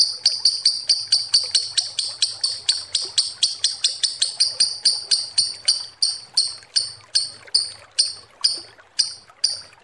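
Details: Lovebird calling as a lure, a long series of sharp high chirps that starts fast and close together and gradually slows, with gaps widening toward the end.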